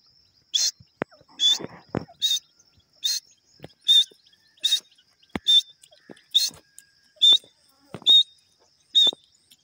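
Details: Grey francolin, known locally as Irani teetar, giving loud, high, harsh notes repeated about once a second, roughly ten in a row, with faint clicks and soft low thumps between calls.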